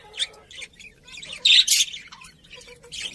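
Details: Budgerigars give scattered chirps and one loud harsh squawky burst near the middle, with softer warbling notes around it.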